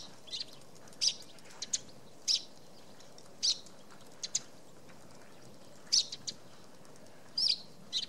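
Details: At its nest hollow in a poplar on Tatyshev Island, Yenisei River, Krasnoyarsk, in March 2017, a Eurasian tree sparrow gives sharp high chirps, singly and in quick pairs, at uneven intervals against quiet background hiss.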